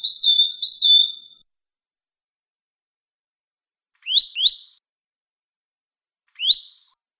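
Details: Madi injap used as a master voice for training songbirds: two short warbled whistles, a long gap, then two quick upward-sweeping chirps and a later single rising chirp.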